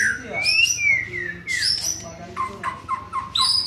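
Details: Young white-rumped shama in training, singing varied whistled phrases: rising and falling clear notes, high sharp slurs and a run of short repeated notes near the end, with a faint low hum underneath.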